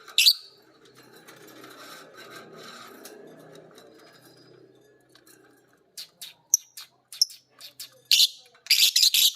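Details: Two lovebirds, violet green and pied, trading ngekek as the master bird sounds: a soft murmuring background at first, then sharp isolated chirps and dense harsh chattering bursts toward the end.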